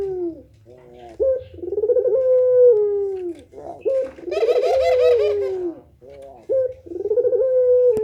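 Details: Puter pelung dove, a domestic dove calling persistently for bird training: long, drawn-out low coos that slide gently downward. The coos are separated by short stuttering notes, and several full coos repeat across the clip.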